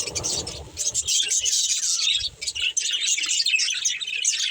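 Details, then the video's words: Budgerigars chirping and chattering as a family while playing; high, scratchy warbles and quick tweets flow continuously, with a soft low murmur underneath at the start. "Cute Budgies Chirping Sounds"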